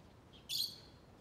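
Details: Lovebird giving a single harsh, buzzy chirp about a quarter second long, broad and high-pitched, preceded by a faint short note, against quiet low background hiss.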